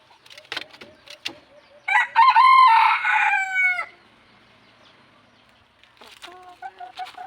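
A red junglefowl gives one loud, rasping crow lasting about two seconds, falling at the end, framed by soft low clucks before and after.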